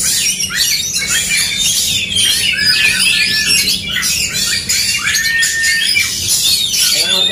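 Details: Aggressive dueling song of Oriental magpie-robins in a fighting bout: shrill rising and falling whistles mixed with scratchy squawks pour out almost without pause, crowded high notes overlapping throughout, a faint low hum underneath.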